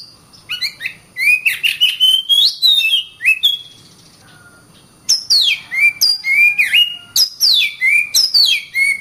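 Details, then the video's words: Kacer bird singing: rapid, varied phrases of whistles and chirps, with downward-slurred sweeping notes and quick repeated elements, split by a short pause. "Kacer Bird Singing"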